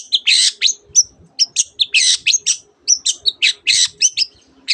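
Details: Mimicking song of a long-tailed shrike borrowing canary and other birds' notes: tight clusters of high chips and short slurred whistles delivered almost without pause, bursts falling in rapid irregular sequence.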